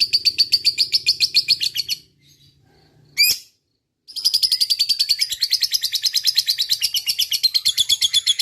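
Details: A lovebird in fighting mood, kept as a single fighter, chatters in a fast, harsh rattle, stops, gives one sharp note after a silence, then breaks back into the long 'ngekek' chatter.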